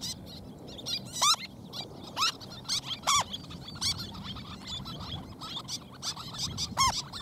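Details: Little tern raising recently hatched chicks, two of three eggs hatched; sharp, high, steeply sweeping chirps sound every second or so against low background rumble, with fainter calls between.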